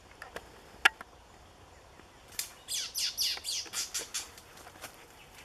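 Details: Two White-rumped Shamas; one opens with a few sharp ticks, then gives a quick run of loud, varied, high chirping notes, about three per second.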